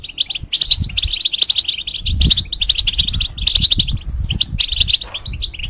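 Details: Caged European goldfinch in moult, singing as a tutor for young hybrids: bursts of quick, bright, jangling twitters separated by short gaps, with soft low knocks beneath.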